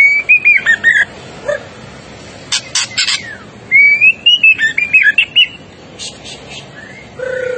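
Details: White-rumped shama singing vigorously in an agitated, emotional state: loud clear whistled phrases rising and falling, broken by sharp high chips, with a second burst of rapid warbled notes and a low note at the end.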